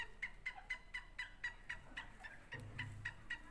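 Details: Francolin from a Sindhi versus Punjabi calling contest, producing quick repeated piercing notes, roughly four a second. A low rumble and some background noise join in the second half.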